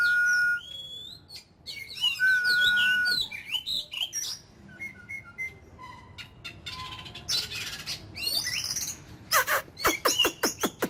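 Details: Oriental magpie-robin in daily "kích lửa" voice training as an ornamental bird. A steady whistle opens, then tumbling high twitters, short repeated notes and sharp clicking bursts follow in quick succession.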